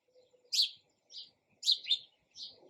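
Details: Sparrow chirping in quick bursts: loud high chips, a paired double note, then softer chirps, clear against a quiet background.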